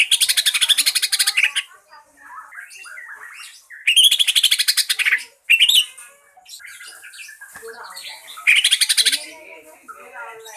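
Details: Lure song of a green leafbird for getting other birds to sing: three loud bursts of fast rattling high notes separated by softer chattering and squeaky calls.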